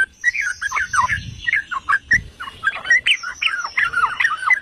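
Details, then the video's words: Yellow-vented bulbul song used for provoking rival singing, a dense chatter of warbling, slurred notes with brief gaps and a thin, steady high whistle across the background. "Pancingan dan Masteran Trucukan"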